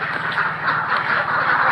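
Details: Ducks on a farm quacking together in a steady, dense chorus of harsh nasal calls, with a low engine-like hum running underneath.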